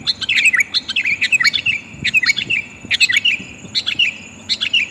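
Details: Female sooty-headed bulbul calling for a male as a lure: lively chirped phrases of quick bubbly notes, repeated about every second with brief gaps.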